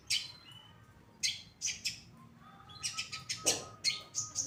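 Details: Long-tailed shrike of the Pastol type singing for a bird-training recording: loud harsh bursts in quick series mixed with sharp high squeaks, with a thin steady whistle held underneath in the second half.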